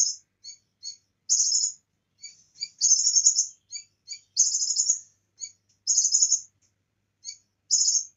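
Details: High, rapid buzzy trills from a Bar-winged prinia on a training recording filled with cililin phrases, alternating with short sharp chips; bursts come roughly every second across eight seconds in a quiet background.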